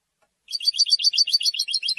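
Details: European goldfinch song, which it uses to defend its territory and attract females. Here is a quick, unbroken high twittering of chirpy notes, about seven per second, lasting a second and a half. No other sounds can be heard.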